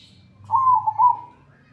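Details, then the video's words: Single zebra dove coo phrase from a training recording in the 'atas bawah' style: a rolling, slightly wavering trill lasting under a second, with a low hum underneath. "masteran burung perkutut atas bawah gacor dor"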